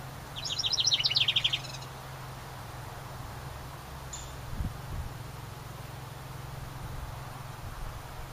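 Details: House wren by a cabin, nesting in a decorative ceramic birdhouse: one quick, high, bubbling song of tumbling notes near the start, followed by several seconds of quiet outdoor hum and a faint click.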